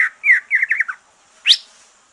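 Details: Green leafbird fresh from moulting, singing to stimulate other birds: a short warbled run of slurred whistled notes, then a single sharp rising high note after a brief gap.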